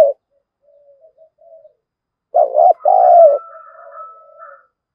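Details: Spotted dove used as a lure bird to provoke wild doves into fighting; low cooing phrases around two seconds in, with softer trailing coos and a faint higher whistled note.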